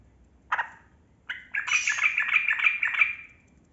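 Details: Trucukan kebo, the yellow-vented bulbul, in a long rolling 'ropel' song meant to prompt quiet birds to sing: two separate bubbly notes, then an unbroken quick chain of warbled, gurgling notes lasting about two seconds.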